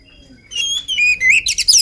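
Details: Oriental magpie-robin, an agile bird before feeding, giving a short burst of song: a faint thin whistle, then loud clear slurred whistles rising and falling, ending in quick high chattering notes.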